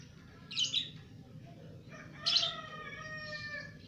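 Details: Two-month-old pet lovebird singing: two harsh, scratchy chirps about two seconds apart, the second trailing into a stack of faint steady whistled tones, over low background hum.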